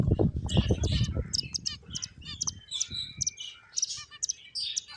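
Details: Several finches chirping while playing: a busy overlap of short, high, clipped tweets and bright trills, with low rumbling thumps and rustling in the first second and a half.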